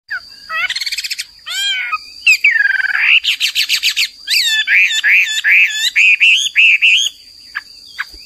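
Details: Hwamei (Chinese hwamei, Garrulax canorus) singing vigorously: buzzy rapid trills, then loud rising-falling slurred whistles repeated in quick succession, with a steady high electronic tone running throughout.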